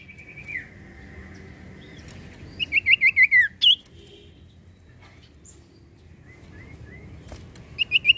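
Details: Common iora in steady song, played to make untrained or silent birds sing: a faint drawn-out whistle, then a quick run of five descending slurred notes and a high upswept note, with the series starting again after a quiet gap.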